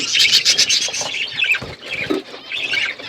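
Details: Outdoor aviary flock of budgerigars giving rapid chirps, about four per second, high twittering notes overlapping with scratchy chatter and a few lower squawks.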